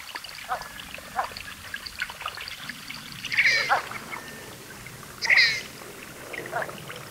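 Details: Red-breasted merganser calling on water: two louder rasping, harmonic calls stand out near the middle and toward the end, among fainter scattered notes, over steady lapping water noise.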